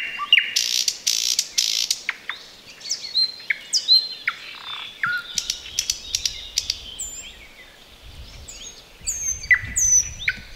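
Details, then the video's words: Thrush nightingale in roadside bushes in the Chornobyl Exclusion Zone, a varied mix of sharp chirps, clicks and whistles with a low rumble of background noise and other birds faintly audible. "Nightingale sings in the bushes!"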